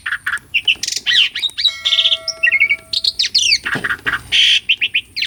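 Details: Asian pied starling song used as a training lure for non-singing birds: chattering squawks and whistled slurs, a steady tonal hum in the middle, then loud raspy bursts and fast chirps.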